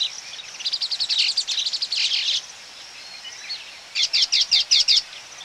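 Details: Baya weavers calling close-up at their colony, with flight calls of ring-necked parakeets: fast high chattering and wheezy buzzing in two bursts, a steady run then a pulsed series, faint hiss.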